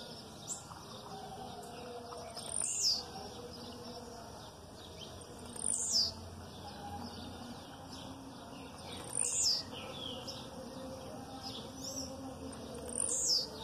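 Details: Blue-black grassquit aggressive song accompanied by female calls in the background; four sharp, high, buzzy descending notes repeated roughly every three and a half seconds over quiet background noise.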